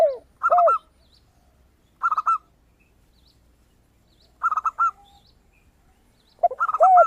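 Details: Zebra dove, a singing bird with a crystal-toned voice, used as a lure to prompt other birds to call. Short bursts of rapid staccato cooing notes come every two seconds, with a lower arched coo from another dove at the start and end.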